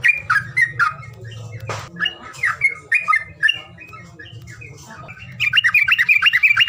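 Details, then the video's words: Calling sound meant to stir birds that are reluctant to sing: slurred squawky chirps and short notes, a sharp click midway, then a fast rattling run of high chirps at the end, over a constant low hum. "SUWARA PANGILAN BURUNG MALES BUNYI"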